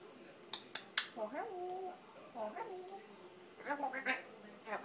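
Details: A pet grey parrot at its country house says "bonjour" three times in a human-like voice, each word a two-part phrase that dips then levels, after a few sharp clicks.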